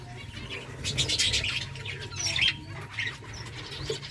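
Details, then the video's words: Colony of finches at eggfood, several birds chirping in quick high tweets and short squeaks, overlapping, over a constant low hum and a faint steady tone. "Birds chirping sounds Finches eating eggfood finches colony"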